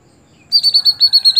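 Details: Greater green leafbird giving a rapid, ringing trill of about eight evenly spaced high notes after a moment of near silence.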